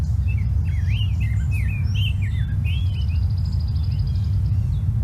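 A thin, rattly bubbling series from a Brown-headed Cowbird runs in the background, mixed with looping whistled bird notes over a steady low rumble.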